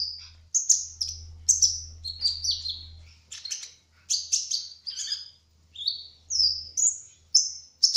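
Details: Lively song of a speckled brown-throated sunbird, known locally as kolibri ninja. Quick high chirps and descending twitters come in a continuous string, with short clear whistled notes between, over a faint low hum.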